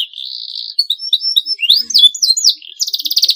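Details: Canary singing a clean, long masteran song, recorded for morning, midday and night: a steady high whistle, then quick slurred rising and falling notes, ending in a fast buzzy trill.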